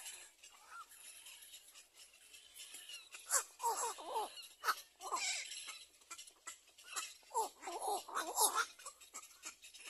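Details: At the nest a little black cormorant mother shelters her chick; bursts of wavering, quavering squeals come in clustered groups, each group a second or so long, over constant high rattling and ticking noise.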